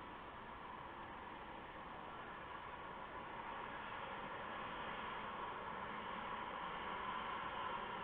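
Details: Steady broadband hiss with a slowly rising level and no animal calls.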